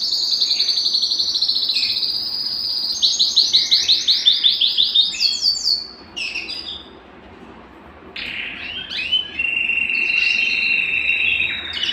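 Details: Belgian canary, singing to excite males and prime females: high rolling trills and fast pulsed bursts, a short quiet gap, then a lower sustained warbling trill.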